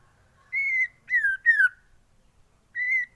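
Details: White-rumped shama song for training other birds: four pure, clear whistles, level or gently falling, each under half a second, separated by short silences.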